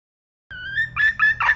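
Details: Red junglefowl hen calling: one drawn-out, slightly rising whistled note, then three short harsh bursts in quick succession, in a quiet setting.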